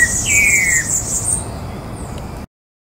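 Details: Rufous-bellied thrush (Turdus rufiventris) at Porto Alegre Botanical Garden, Brazil, 14 October 2017: a single clear whistled note slides downward, with thin, high chirps and a faint buzz above it before cutting off.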